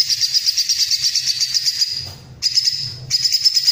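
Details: Cililin song made as training material for white-rumped shamas: loud, tight, high-pitched rolling trills, rapidly pulsed and sustained, broken by two short pauses before the roll resumes.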